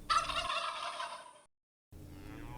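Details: A turkey's loud, fast gobble: a rolling stream of harsh, pulsed notes for over a second, then sudden silence before a faint low hum resumes.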